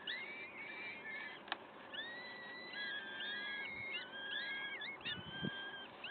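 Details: Peregrine falcon nest in Wakefield at 06:55 on 5 May 2021: a dense chorus of thin, drawn-out whistled calls, some level, some dipping or rising, with a sharp click and low knocks in the background.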